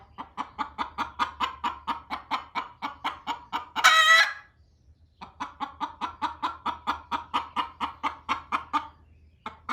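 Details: Barn-laying hens, one clucking loudly at the other to get off the nest. A long run of steady, rapid clucks, a single piercing drawn-out squawk near the middle, then another long cluck series.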